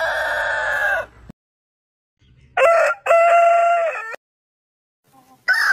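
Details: Rooster crowing, part of a heritage-breed compilation. The end of a rough crow, then a clear crow of short opening notes and a long level tone that drops sharply at the finish, followed by another crow starting.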